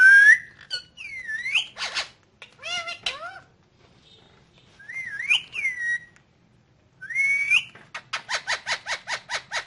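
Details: Rose-ringed parakeet kept as a pet, talking in Urdu/Hindi: swooping whistled syllables rising and falling, several pauses, ending in a fast series of seven or eight raspy pulses.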